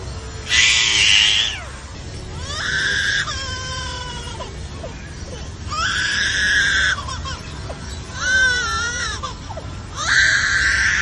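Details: Superb lyrebird named Echo at Taronga Zoo, Australia, mimics a crying baby: wailing, sobbing bursts about a second long, some rising and falling, repeated every few seconds over a faint hiss.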